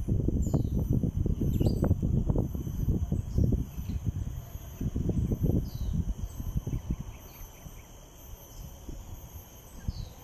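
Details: Common flameback woodpecker at Bukit Batok Neighbourhood Park on 12 April 2021 pecks on a tree in dull, irregular knocks, about four a second, fading after seven seconds, with faint high insect or bird notes behind.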